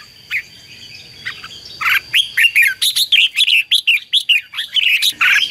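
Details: Decoy song of a red-whiskered bulbul meant to excite and lure wild birds: after a few scattered notes, a rapid run of lively chirps and warbled slurred phrases, loud and continuous, over faint background hiss.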